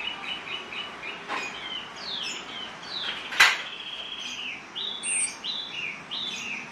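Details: Orange-headed thrush song used as a training lure to teach other birds to sing: varied whistled phrases with slurred, falling and rising notes, interrupted by a sharp click, then a series of repeated downslurred whistles.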